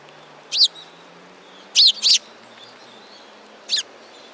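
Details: At a Tenmangu shrine on 15 November 2016, sparrows give loud, clear chirps, first a single note, then a quick pair, then one more after a pause.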